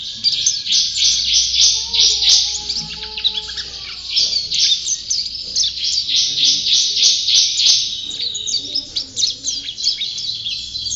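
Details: Long, busy white-eye song of fast, high-pitched chirps and trills pouring out almost continuously, with a few soft lower tones beneath.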